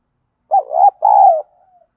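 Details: Deep-voiced 'giọng đồng' spotted dove cooing, used to lure rivals into fighting: one phrase of a rolling two-part coo followed by a long, level-to-falling coo fading into a faint tail.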